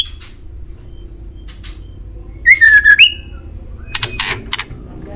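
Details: Male white-rumped shama (murai batu) master song for prompting kept birds to reply: a short burst of slurred whistles midway, flanked by brief harsh, scratchy notes.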